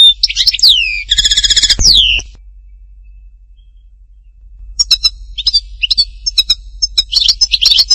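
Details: Singing European goldfinch recorded at Htatba, Tipaza: a burst of liquid twitters and a nasal, buzzy trilled phrase, a two-second pause, then scattered high tinkling notes building again.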